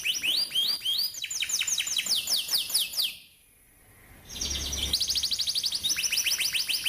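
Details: Prolific canary rolling song as a lure for young learners: a rapid stream of swooping chirps, a short silent gap, then a buzzy burst leading into another fast roll of bright notes.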